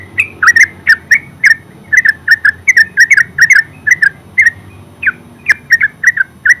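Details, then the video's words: Terucuk (yellow-vented bulbul) singing ngeropel: a loud, continuous stream of chirping doublets with a brief sweeping whistle partway through, the rapid pace keeping up to the end. "Terucuk full suara ngeropel"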